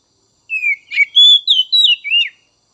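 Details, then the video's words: Oriental magpie-robin singing to stimulate untrained young and spotted 'trotol' magpie-robins: one clean phrase of sweet whistles, a descending slur, a rasping note, then long level and wavering whistles ending on a downturn. "Merangsang Kacer Bahan dan Trotol!!"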